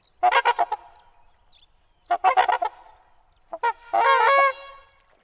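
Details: Trumpeter swans, native swans more vocal than mute swans, giving loud horn-like honks: two quick bursts of stuttered notes roughly two seconds apart, then a couple of short toots and a longer drawn-out, brassy honk.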